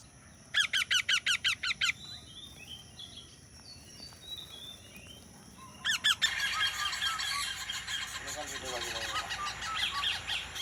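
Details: Indian Ringneck parakeet uttering a fast run of about eight sharp, evenly spaced calls, a short burst again later, then a noisy stretch with rustling and background clatter.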